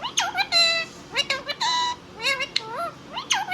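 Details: Talking pet Indian ringneck parrot producing word-like nasal syllables in uneven bursts, some drawn out, others short and clipped, about one per second.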